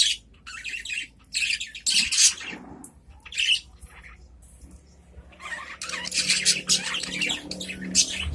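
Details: Adult caged budgerigars answering each other: bursts of scratchy warbling and chirps separated by short quiet gaps, then a livelier stretch of overlapping chatter near the end.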